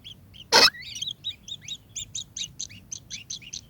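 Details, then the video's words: Kingfisher delivering a run of crisp, high, hooked chirps about four per second, opening with a loud sharp knock, in otherwise quiet surroundings. "burung tengkek"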